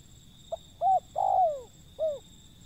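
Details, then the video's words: Wild zebra dove call: faint click, a short arched coo, a long falling slur and a last arched coo, mid-pitched and clear over low hum. "panggilan burung liar si pehang"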